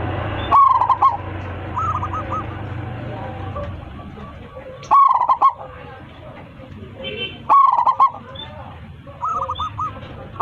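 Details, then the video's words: Loud-voiced local zebra dove calling its flock gives three rolling, throaty coo phrases at irregular intervals, interspersed with softer repeated looping coo notes and a low background hum early on. "PERKUTUT LOKAL GACOR 27 MEMANGGIL KAWANANNYA MANGGUNG suara besar"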